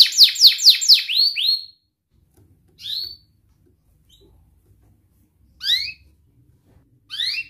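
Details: Training song for young canaries: a burst of rapid repeated downward-sweeping whistles, then silence broken by single isolated chirps spaced a few seconds apart.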